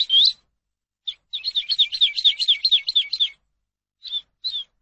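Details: Song of the Eurasian skylark for tutoring captive birds: an opening rising whistle, then a busy two-second stretch of rapid, twisting high notes, closed by two separate short chirps.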